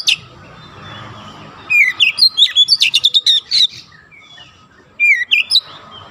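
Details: Oriental magpie-robin training song meant to make a young bird sing dense 'nembak' phrases: after a quiet start, a fast run of sharp, sliding whistles and clipped notes, then a shorter whistled burst near the end.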